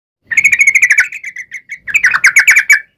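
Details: Sooty-headed bulbul (trucukan), a long rapid chattering series used as a lure to make other birds sing and answer: quick bright notes near two kilohertz in a steady run, a short pause, then a second denser burst.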